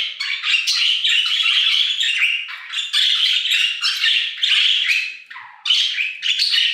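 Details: Budgerigars singing in an aviary, a lively run of scratchy warbled phrases and squawks with brief pauses, one lower, drawn-out note standing out just after five seconds.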